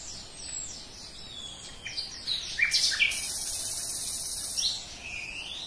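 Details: Common nightingale singing: varied short whistled and sliding notes, then a loud dense buzzy burst lasting about a second and a half, followed by quieter high notes.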